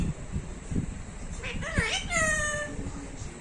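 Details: Talking parrot giving a short, tonal, speech-like utterance with bending voiced notes, over a steady low rumble of background noise.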